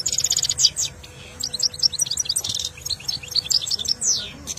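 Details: European goldfinch in saira style training song, delivering fast high twitters, liquid chirps and short buzzy rattles in near-continuous phrases with brief pauses, over a steady low hum.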